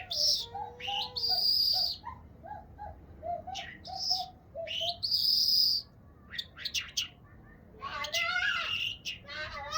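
A chukar gives a run of short, low clucking notes, rising slightly in a quick series, while high, thin chirps and whistles ring out above.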